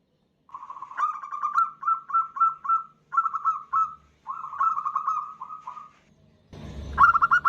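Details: Female zebra dove of a local strain calling for a male, a lure call: phrases of rapid, slightly rising coo notes in groups of four to six, with pauses between, ending in a louder, noisier burst.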